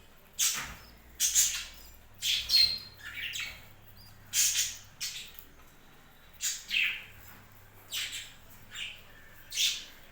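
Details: A captive budgerigar flock chirps steadily, short scratchy notes arriving in pairs and singles every second or so, with a low hum throughout.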